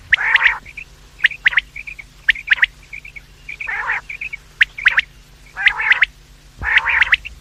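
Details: Luring call of quails at morning and evening: rough buzzy bursts alternating with brisk high pips and clipped chirps, roughly one phrase a second.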